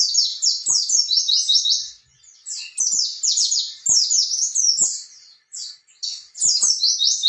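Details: High, rapid twittering song of an oriental white-eye, meant to stimulate untrained young birds to answer: dense runs of quick descending chirps in several long phrases separated by short silences, with light tapping sounds beneath.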